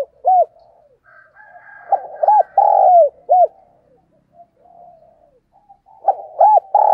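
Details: Morning calling of a spotted dove kept as a lure for wild doves: loud, low, arched coo notes in bursts, including a long drawn coo, separated by quieter murmured cooing and ending in another rapid group.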